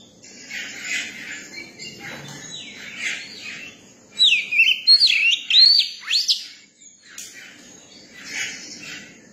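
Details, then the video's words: A young Oriental magpie-robin sings amid soft rasping chatter, then gives a clear phrase of looping whistled notes ending in a rapid rising slur, followed by quieter scratchy sounds. "tiếng chim chòe than bổi hót"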